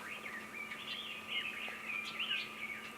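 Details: Red-billed leiothrix in Nagasaki Prefecture, Japan, recorded 22 April 2019 around bathing: a continuous tumbling warble of rising and falling fluty notes over a faint steady hum.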